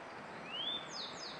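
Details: Grey bunting singing in May 2022: a clear whistled note rising smoothly from low to high, then a brief higher buzzy trill, over a soft steady background hiss.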